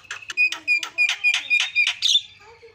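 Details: Asian pied starling song meant to provoke rival starlings, a quick series of loud harsh notes over a steady high whistled tone, about eight bursts in under three seconds.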